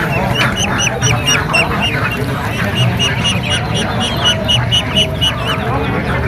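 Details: A crowd of ducklings at an animal market peeps nonstop in high, shrill, down-slurred notes, about two a second, over a low murmur of market noise and voices.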